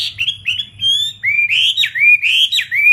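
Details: Caged fighting-type Chinese hwamei ('họa mi chiến') in Vietnam: smooth, level whistles give way to loud, swooping notes that slide upward and then drop, repeated several times.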